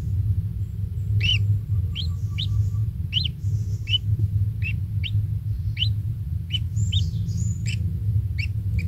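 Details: Kingfisher chick, a single young bird at its nest being fed insects by its parent, calling with short, rising, squeaky notes repeated roughly every half second over a steady deep rumble of background noise.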